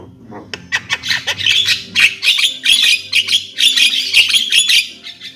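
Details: Javan myna delivering a dense run of harsh, scratchy chatter, grating notes packed closely together with a low steady hum underneath.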